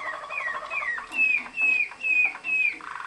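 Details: Waterslager (Malinois) canary bred in Kumanovo, Macedonia, from champion contest lines: a series of clear, slurred whistled notes dropping in pitch, repeated about every third of a second, ending in a softer bubbling roll.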